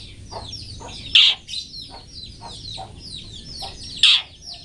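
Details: Master recording of a long-tailed shrike singing 'toet toet' for training cage birds: fast run of short downslurred chirps, broken by two very loud, harsh, rasping notes about three seconds apart.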